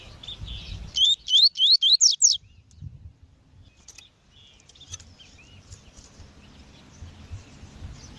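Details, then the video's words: Double-collared seedeater, a female calling, used to warm up and train males; a bright burst of about six rapid upslurred whistled notes, then quiet with faint chirps and low background rumble. "COLEIRO TUI TUI COM FÊMEA CHAMANDO PARA ENCARTE DE COLEIRO E ESQUENTAR COLEIRO TUI TUI"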